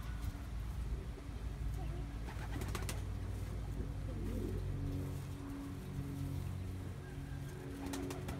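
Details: Young male Cuban Pouter pigeon perfecting his dance: low, murmuring coos recurring in short phrases over a steady low rumble, with occasional sharp clicks and rustles.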